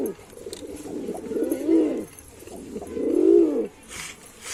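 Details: Male white pigeon cooing: two long, rising-then-falling low coos with a hollow, throaty tone, each lasting about a second, separated by softer murmuring, with a brief faint rustle near the end.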